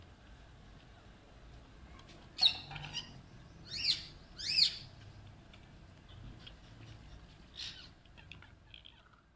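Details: A pet Alexandrine parakeet playing and fighting over toys gives four harsh, raspy squawks, two close together mid-clip and one later, over a low background hum.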